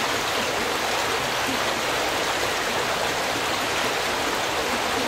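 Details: Steady rushing of a fast stream or small waterfall fills the whole recording.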